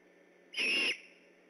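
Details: On 3 October 2015 a great horned owl near an eagle nest in Decorah calls at night while on alert: a loud, breathy, hissing screech with a whistled tone inside, held evenly for about 0.4 seconds.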